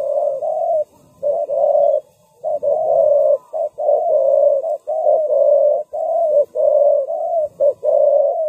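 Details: Spotted dove kept as a ground decoy, calling to lure wild doves. Mellow coos come in rapid linked phrases, short notes alternating with longer rolled ones, with few pauses.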